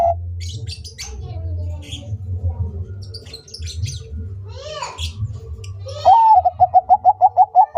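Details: Zebra dove of the Bangkok type singing vigorously. Several seconds of scattered chirps and sweeping notes from other birds over a low rumble give way to a quick, regular string of short cooing notes near the end.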